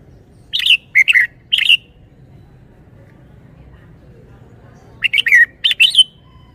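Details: Red-whiskered bulbul song, admired for its phrasing and flair: a trio of bright warbled notes, a pause of about three seconds, then four more chirpy, slurred whistles in quick succession.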